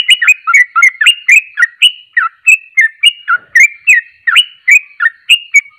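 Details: Sooty-headed bulbul (trucuk) singing in the fast ropelan style: a rapid, unbroken string of short whistled notes, each dipping and rising, about three or four per second, clear and close with no other sounds.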